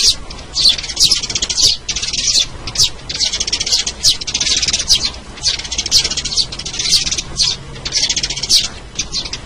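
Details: Sparrow lure sound: dense, buzzy high chirps in rapid bursts of about half a second to a second, repeated almost continuously with brief gaps.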